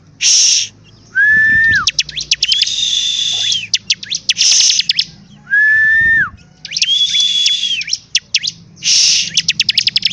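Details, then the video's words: Singing bar-winged prinia: buzzy rasping bursts, rapid clicking series and twice a short steady whistle that drops at the end, in a repeated pattern with quiet gaps. "CIBLEK GACOR DORRRR!!!"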